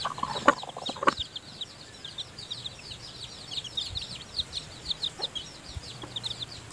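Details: Chicken chicks, freshly hatched and kept in the nest while the mother hen feeds them; two sharp knocks open the clip, followed by a steady stream of high, thin, down-slurred peeps from several chicks.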